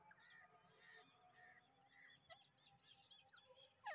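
A male grey francolin gives harsh, ringing call notes about every half second, then quicker clipped notes. Other birds chirp faintly behind it.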